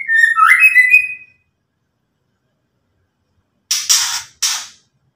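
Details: White-rumped shama ketrekan for provoking an opponent: a bright, ringing warble of rapid whistled notes for about a second, silence, then three coarse hissing rasps in quick succession.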